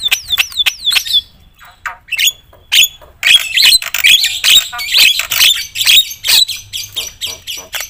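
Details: Loud, actively singing Javan myna with a song full of varied fill-in phrases, said to rile up other mynas: three quick descending whistles open, then dense harsh buzzy squawks and rasping notes about twice per second.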